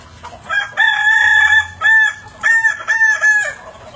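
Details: Multi-syllable crow of a Kukuak Balenggek rooster at evening time, a long first note followed by four short, evenly spaced clipped syllables on the same pitch, clear against a quiet background.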